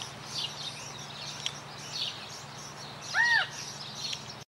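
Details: In Wanganui, New Zealand, a California quail utters one loud, curved, slightly nasal note, up and down in pitch, amid continuous high-pitched twittering of other birds and a low steady hum.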